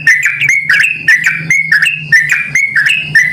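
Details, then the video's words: Yellow-vented bulbul in full voice, played to provoke responses from others of its kind; bright warbled whistle phrases about twice a second over a constant low hum. "panggilan burung trucukan gacor ini dijamin trucukan lain langsung merespon"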